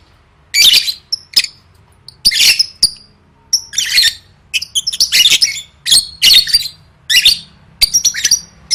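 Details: Lovebird trained for singing competitions, giving harsh chattering bursts separated by brief pauses, with thin high squeaks between the louder rasping phrases.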